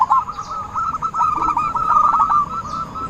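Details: Zebra dove used as a lure call for trapping: a busy run of rapid, stuttering coos at one steady mid pitch runs through the whole stretch. Faint background hiss underneath.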